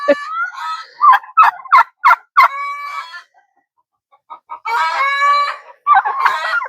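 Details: Chickens on a farm on a cool summer morning, mid-molt, chatter while waking and slowly coming out, turkeys nearby: short clipped clucks about three a second, then a lull and overlapping harsher murmuring calls.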